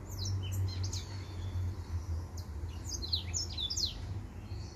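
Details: High chirping song from a male white tip finch: quick thin notes and short falling slurs in loose bursts, over a soft continuous low hum.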